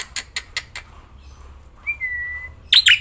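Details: Black-winged myna kept as a cage bird, singing outdoors and while held in the hand. A few sharp clicking notes come first, then a pause and one long level whistle, ending in a loud harsh grating burst.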